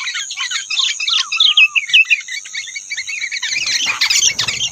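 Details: Rufous-tailed robin singing, a wild bird competing with caged birds; rapid high chirps and short twittering phrases, with a brief descending run of notes near the middle, and a steady high whine behind.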